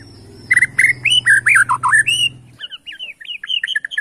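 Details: White-rumped shama from Borneo, singing in the bowing style to rile rivals: a rapid run of varied clear whistles, swooping up and down, roughly four notes a second. A low hum fades out midway, and a softer stretch of similar phrases follows.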